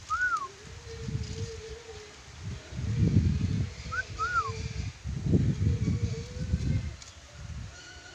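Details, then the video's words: Lory from Sulawesi with a clear, falling arched whistle, then a pair of short whistles a few seconds later. Heavy low-pitched rumbling and handling noise fills the gaps. "Nuri dora sulawesi"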